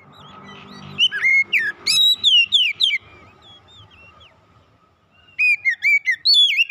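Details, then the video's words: Oriental magpie-robin kept at home, its song meant to lure other kept birds into singing. Loud, quick whistled phrases with sweeping slurs come in two bursts, over a steady faint hum and low background murmur. "kicauan indah memancing suara Kacer rumahan ikut gacor"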